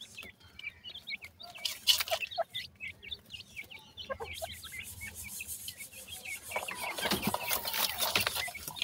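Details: Yellow partridge chicks during feeding: a steady run of short, high peeping chirps with some lower clucks, giving way to a loud rushing, rustling noise in the last few seconds.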